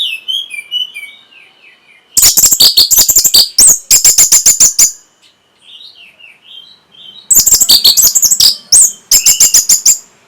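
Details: Orange-headed thrush song meant to stimulate breeding urge and draw a reply: a whistled phrase, then loud bursts of rapid dry, clicking high notes mixed with shrill whistles, pausing between two dense outbursts.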